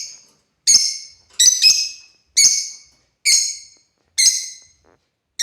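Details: Shrill scratchy squawks from African lovebirds at play, about one a second, one or two notes paired closely together, sharp onsets decaying quickly, otherwise quiet between calls.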